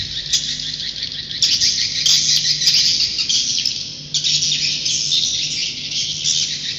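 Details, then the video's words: Swiftlet roosting call: a dense, continuous high chittering chorus of many overlapping twitters, with louder surges at about 1.5 and 4 seconds, over a faint steady low hum. "Suara Inap Walet"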